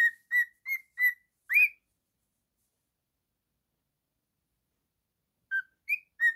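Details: Male cockatiel singing and whistling: a quick run of five clear, bright whistled notes with rich overtones, the last rising and louder, then about four seconds of silence before three more whistles, one dipping and one rising.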